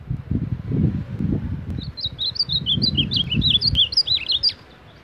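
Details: Ultramarine grosbeak, a long run of short whistled notes, each slurred up or down, delivered quickly and unevenly over about four seconds, with loud low thumping and handling noise underneath.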